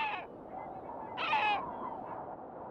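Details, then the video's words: Great black-backed gull at Raghly Harbour, Co. Sligo, gives two hoarse, barking calls about a second apart, the second louder and slightly falling, over a steady background hiss. "Great Black-backed Gull"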